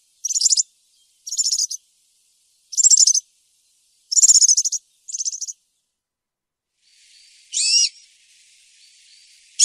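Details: European serin in campero song style, played to young serins so they copy it: five short, high, jingling trill bursts at steady intervals, then a fainter passage with one sharp, sweeping buzzy phrase.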